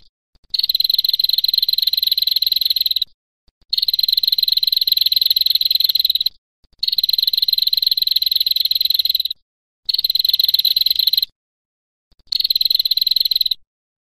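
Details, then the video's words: A female prinia delivers the extended 'ngetir' song style: five bursts of quick, sharp, high ticking notes, each lasting about one to three seconds, divided by short silences, with nothing else audible. "Prenjak Betina binal Ngetiiiir"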